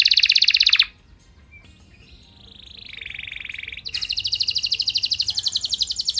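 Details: Singing canary, recorded to make other canaries respond and sing too: a loud buzzy roll, a brief quiet pause, a soft low warbling trill that swells, then a bright rapid rattling roll.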